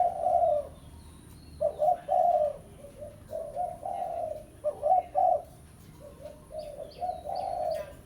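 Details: Fierce spotted dove lure call, pesom style, to draw a rival: repeated groups of low, burry coos with short pauses, ending with thin high chirps of another bird overhead.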